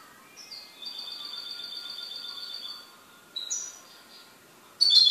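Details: An owned goldfinch produces a long, steady, high, whistled-buzzy note of about two seconds, followed by brief chirps and a sudden loud twitter at the end.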